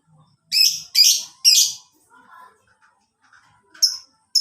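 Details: Lovebird sound used as a lure and master recording to train caged birds: three harsh, shrill screeching bursts about half a second apart, followed by a quiet gap with faint low chatter and one short sharp chirp near the end.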